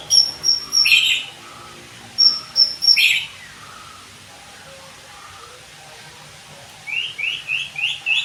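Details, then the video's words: White-rumped shama song used as training therapy for songbirds: sharp high chip notes with rasping bursts, repeated twice, then a quick series of four rising upslurred whistles. "TERAPI bunyi murai batu AMPUH // agar cepat gacor dan cepat NEMBAK- NEMBAK"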